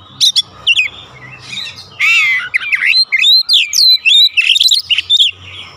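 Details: Oriental magpie-robin singing to draw a response from other birds at home, with clear rising whistles, a harsh rasping burst, then quick slurred notes delivered in a busy, uneven stream.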